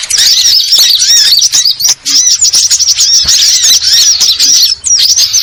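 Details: Sunbird giving loud, dense, rapid squeaky chattering, with high thin twitters and looping chirps running almost without a break.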